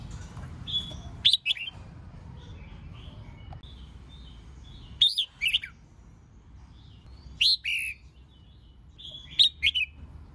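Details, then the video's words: Female red-whiskered bulbul's 'hót ché' song used as a lure to rouse males into singing: four short bursts of sweet, warbling, downslurred whistles spaced about two to three seconds apart, with soft background hiss between phrases. "Kích Chào Mào Hót Ché [ MÁI KÍCH TRỐNG ]"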